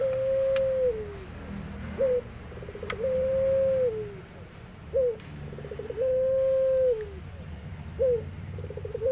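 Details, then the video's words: Barbary dove, puter pelung, from an aviary, cooing steadily: long drawn, gently falling coos alternating with short clipped notes and quick rolling stutters, repeated about every three seconds, with a few faint clicks and low rumble. "Suara Puter Pelung Gacor"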